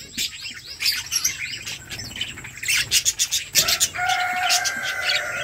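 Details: Budgies chattering as a flock while feeding, rapid scratchy chirps, then a sustained clear whistled tone with harmonics toward the end.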